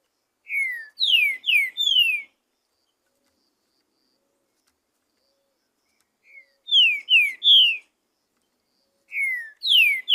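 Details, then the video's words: Free-living green-winged saltator in the bush, singing a lot: three phrases of four ringing, descending whistles, repeated roughly every four seconds with quiet gaps between. "TRINCA FERRO NO MATO SOLTO CANTANDO MUITO NA NATUREZA"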